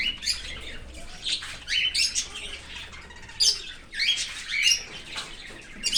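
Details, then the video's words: Australian cockatiel parent feeding its young outside the nest in an open aviary; loud, rough squawking bursts, shrill and breathy, come in uneven groups separated by brief gaps. "Australian cocaktail Parrot feeding baby from outside of nest in open aviary."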